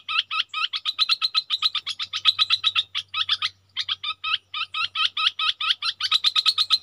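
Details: Red-whiskered bulbul used as a decoy bird, pouring out fast repeated chirps and looping slurred notes in dense bursts, with one short gap near the middle and a faint low hum underneath.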